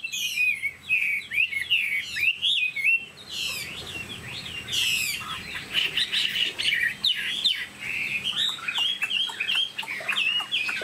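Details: Caged Chinese hwamei, described as tame, singing a long energetic song of rapid whistles, bursts of harsh buzzy notes and fast chattering trills, with scattered clicks.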